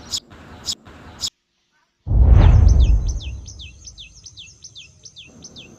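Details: Tailorbird heard around a house in the morning: a rapid run of high, sharp, downslurred chips, about four a second, after a few clicks and a loud low thump.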